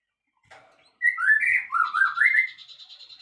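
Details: White-rumped shama (murai batu) in isian song: after a soft chatter, a rich whistled phrase rolls through several wavering notes that step down and rise again, followed by a pulsing high buzz.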